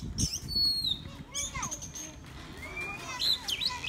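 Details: Improvised song of a decoy black drongo, with clear downslurred whistles, a quick cluster of descending chirps, a long rising whistle and loud squeaky notes near the end, over faint low noise.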